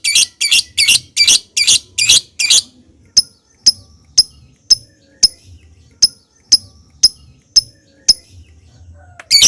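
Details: Lovebird lure recording played to make birds sing, with ngetik ticking and ngekek chatter: seven buzzy rattling bursts, then a run of sharp, evenly spaced ticks about twice a second.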